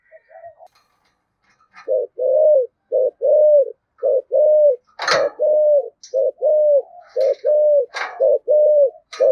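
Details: Spotted dove in 'giọng thổ' thúc gù style, played to provoke wild doves: faint notes at first, then a steady run of low rounded coos about every second, broken by a sharp crackling knock near the middle.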